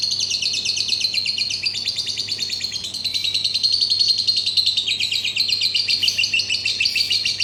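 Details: Lovebird giving a steady, rapid, high-pitched chattering trill throughout, dense pulses repeated several times a second with slight rises and falls in pitch.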